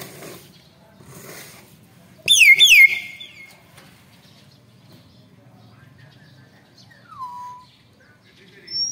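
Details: Young Nias hill myna, described as noisy and very loud: one sharp, ringing whistle sliding steeply downward with bright overtones, then a softer falling whistle a few seconds later and a brief high note at the end. Otherwise quiet with faint background murmur.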